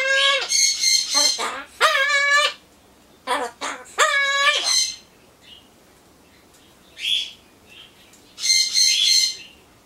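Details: Solomons corella kept as a pet, murmuring mimicked speech while awaiting pumpkin: several nasal, strongly harmonic word-like calls with drawn-out vowels, then quieter pauses and a final rasping burst.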